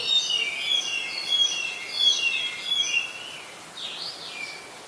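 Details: Adult red-whiskered bulbul recorded at Ubon Ratchathani, Thailand, on 16 December 2020, giving bright warbled phrases, each about half a second long, that slur up and down. A rising-falling whistled figure follows near the end.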